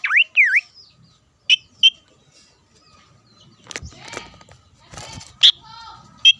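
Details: Greater green leafbird song used to agitate rival leafbirds: two looping whistled notes, brief sharp chips, then scattered raspy bursts and high clear notes after quiet gaps.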